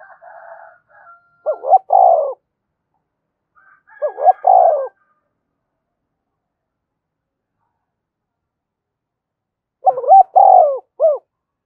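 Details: Spotted dove giving urging and summoning coos meant to provoke wild doves: three separated low hooting phrases, each a quick stutter of notes ending in a longer coo, with a faint higher murmur at the start and long silences between.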